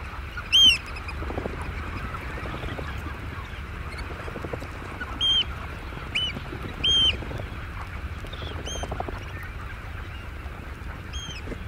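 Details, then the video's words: Oystercatchers calling at roost in early morning before flight: loud, sharp, high piping notes with ringing overtones, given singly or in short pairs every one to two seconds over a low, steady rumbling background. "Oystercatcher. Early Morning. Calls From Birds At Roost. Some Pre-Flight Wing F"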